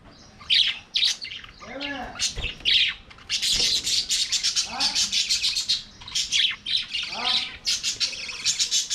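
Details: Aviary budgerigars singing while playing: scratchy warbling chatter mixed with clear whistled chirps and rising-falling notes, nearly continuous with brief gaps.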